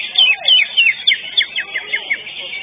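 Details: Common green magpie in a bird singing contest delivering a fast run of clear, sharply slurred whistles, each note dropping in pitch, about four per second, over faint background chatter.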